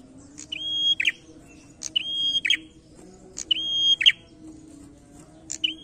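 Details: Prinia singing energetically in a challenging style: four phrases in about six seconds, each a sharp high tick, then a long level whistle ending in a harsh buzzy burst, over a steady low hum.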